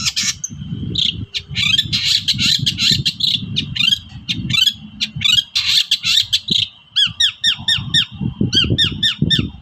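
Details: Agitated long-tailed shrike toet-toet calls used to coax reluctant shrikes into singing: dense harsh chatter, then a rhythmic run of sharp downward-swept notes about four per second, over steady low rumbling noise.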